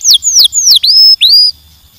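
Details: Short canary phrase: three long, high whistles sliding downward, then two swooping notes that dip and rise, followed by quiet.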